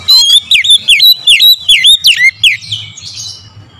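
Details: Lure song of an oriental magpie-robin in the morning: a quick series of roughly eight loud, swooping whistles repeated about every quarter second, ending in a soft hissy trail.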